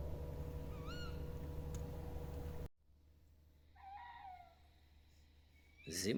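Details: On a February night survey in Holosiivskyi National Park, Kyiv, a female tawny owl answers playback, quietly, with short, hoarse, slightly rising-then-falling calls, one loud and one fainter, over a low hum and a sharp noise at the end.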